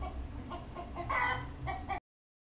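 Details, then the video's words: Talking common hill myna, a pet bird, saying "Good morning" in English: a few clipped voice-like syllables, then a stronger harmonic phrase, a last short burst and an abrupt cut to silence. "นกขุนทองพูด Good morning"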